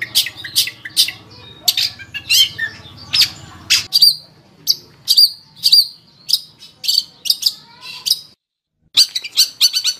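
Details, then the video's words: Long-tailed shrike singing a varied sequence of short, sharp, high chirps and clipped whistles, delivered in quick irregular bursts with brief gaps between phrases. "Suara Burung Cendet | Gacor"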